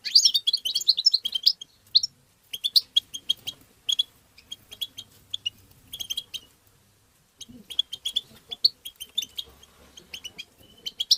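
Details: European goldfinch song played to stimulate goldfinches, opening with a dense run of high twittering notes, then spaced chirps and short tinkling phrases, a pause near seven seconds, and more chattering afterward.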